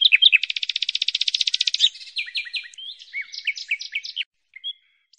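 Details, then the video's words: Bird song beginning with a long, rapid, high buzzy trill, followed by a few slurred downward whistles and chirps, then fading to silence with two faint final notes. "Tiếng chim hót"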